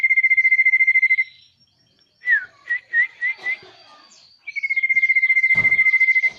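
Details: Common iora song opening with a sustained pulsed whistle, then a falling slurred note and four quick rising whistles, and closing with another long, evenly pulsed whistle; a sharp knock sounds near the end.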